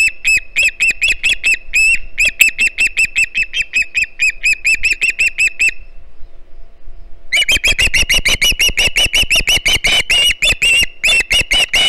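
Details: Juvenile Osprey on a Hog Island nest, 09 September 2019, live camera, begging for a fish: rapid shrill chirping, a pause of over a second, then an even more insistent burst of chirps.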